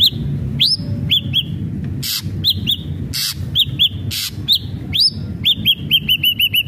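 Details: Ashy drongo singing vigorously to prompt captive drongos: scattered high, hooked upslurred whistles and a few longer rising notes, harsh static-like bursts between them, ending with a rapid series of short whistled notes.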